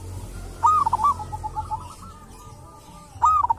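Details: Wild local zebra dove recorded at a sacred tomb, noted for a distinctive voice. It gives a strong burst of quick cooing notes, then a long fading series of soft coos, then another loud phrase. Steady low background noise.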